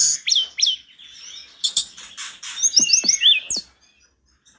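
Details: A Sunda robin sings in an agitated, intense bout that prompts other robins to respond: a fast jumble of high, sweet downward-sliding whistles broken by sharp ticking notes, with a faint hiss behind.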